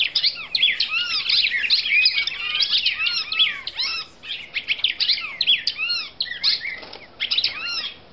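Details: Brazilian female red-crested cardinal giving a long, busy run of rapid twittering notes mixed with looping, arched whistles. The song stays steady and continuous with only brief dips in loudness.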